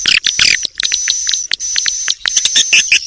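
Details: Swiftlet lure call: quick, sharp chirps and clicks in irregular bursts, rising and falling high-pitched twitters over a thin, steady whistling tone, with short silent gaps between bursts.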